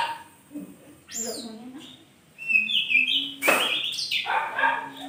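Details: Oriental magpie-robin in the morning, delivering loud, varied whistled phrases mixed with rasping bursts and a sharp, very high crack, the notes tumbling quickly with little pause between them.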